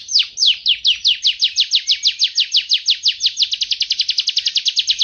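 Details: Canary eating vegetables sings a fast, even trill of sharp descending whistled notes, roughly three per second at first and speeding up toward the end, bright and high with a quiet background.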